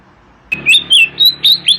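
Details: Oriental magpie-robin singing in the morning: after a short quiet start, a run of loud clear whistled notes, some rising and some falling, comes in quick succession over a low background hum.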